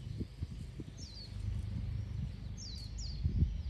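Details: Wagtail recorded on 12 November 2024, giving three thin, high, downslurred call notes, one alone and then a close pair, over a steady low rumble of background noise and soft thuds.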